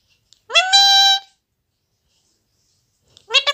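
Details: A talking Alexandrine parakeet, caged, gives a high, nasal, word-like utterance, rising then held for under a second, and starts another about three seconds later. The room is otherwise quiet.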